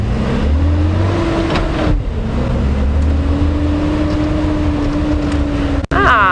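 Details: A vehicle engine drones steadily with low rumbling and faint voices, and no animal calls are heard.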